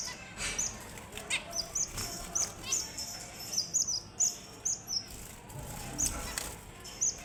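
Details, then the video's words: Red avadavat (strawberry finch) giving a run of thin, high chirps about twice a second, with soft rustling and faint background noise. "The Sweetest Sounds of the Strawberry Finch & Red Avadavat"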